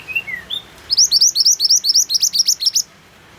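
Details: White-eye (mantenan) song, with rain sounds added to prompt other birds to sing. A few soft thin whistles, one falling, then a rapid rattling series of about eighteen high, hooked chirps delivered roughly four per second.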